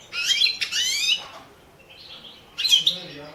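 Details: European goldfinch of the Balkan subspecies Carduelis carduelis balcanica, recorded for the 2017 world championship in goldfinch song held online under Serbian rules; two short bursts of bright twittering with harmonic-rich chirps, separated by a quiet gap and a faint buzz.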